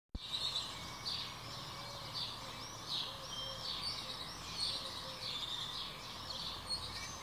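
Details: Birdsong heard from a rooftop balcony in Trujillo, Spain: several birds chirp and twitter at once in high, overlapping notes, with short trills and squeaks repeated throughout over a steady low background hum.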